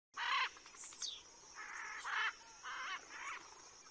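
House sparrow giving harsh, chirping calls in short bursts, several in under four seconds, with a thin high whistle early on.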